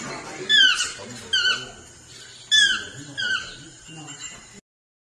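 Chestnut-mandibled Toucan giving loud, yelping, downslurred notes in short phrases, about one every second or two, over a soft background hum.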